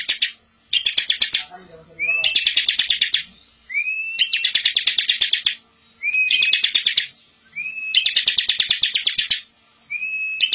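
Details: Master recording of a bar-winged prinia in rolling, full-filled song for tutoring young prinias. Dense rattling bursts alternate with brief gaps, each usually opened by a quick upslurred whistle, and a faint low chatter sounds early on.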